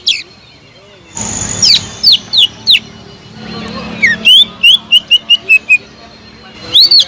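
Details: Greater green leafbird song used as a lure to stir silent leafbirds into singing: loud whistled notes, first a few sharp rising-falling slurs, then a quick run of short descending whistles, with bursts of broad hiss between phrases.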